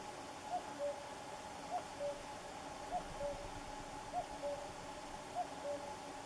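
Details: Distant common cuckoo song: five paired notes, each a brief higher tone dropping to a longer lower one, evenly spaced about 1.2 seconds apart, against constant low background hiss.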